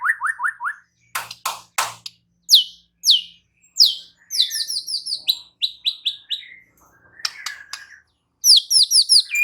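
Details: Murai batu, the white-rumped shama, singing a varied song of short repeated whistles, sharp clicks and high descending slurred notes with brief pauses between phrases.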